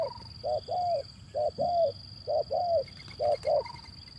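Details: Cooing of a male zebra dove meant to prompt lazy singers: low paired notes, a brief one followed by a longer downslurred one, repeated about once a second, with a constant high whine and faint low hum.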